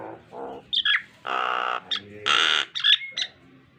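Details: Nias hill myna producing harsh, drawn-out broadband squawks between short nasal notes and thin whistles, an uneven sequence used as a training song for pet mynas.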